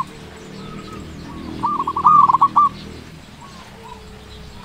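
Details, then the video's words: Local zebra dove, a chatty bird with a big voice, used as a lure to stir quiet doves. A short burst of rapid, trilled cooing notes rises above a steady background hum, with faint cooing before and after. "Perkutut lokal gacor suara besar cocok untuk pancingan perkutut yang malas bunyi"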